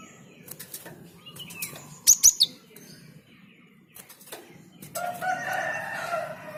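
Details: Java sparrow in full song to encourage other birds to sing along: wing flutters and soft chirps, then one crisp run of three high ringing notes, followed by a lower, buzzy, sustained call.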